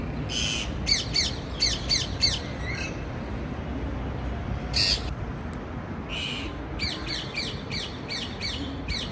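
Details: A parakeet gives scratchy, buzzy chirps in rapid clusters, with single longer grating calls between the bursts and a steady low hum behind.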